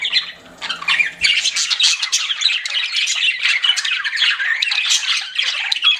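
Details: A quiet opening gives way to loud pet budgie chatter, dense buzzy warbling with sharp squeaks running on without a break.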